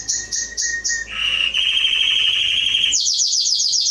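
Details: Canary song for training young birds: high bursts repeated quickly, then a lower buzzy rolling trill and a run of fast high chipping notes.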